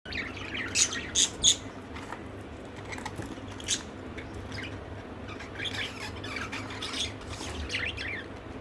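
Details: A talkative female pet budgerigar chatters in rapid, scratchy squawks and chirps, with a few sharper bursts near the start; Budgerigar.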